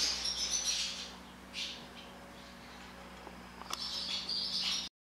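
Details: Barn swallows swarming inside an equipment barn: bursts of high, busy twittering from many birds at the start and end, a quieter stretch between with a few scattered chirps, then sudden silence.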